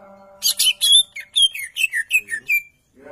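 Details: Champion greater green leafbird: a fast series of about ten loud, clipped notes, each a high buzzy chirp or a downward-slurred whistle, evenly spaced. A soft steady tone sounds at the start.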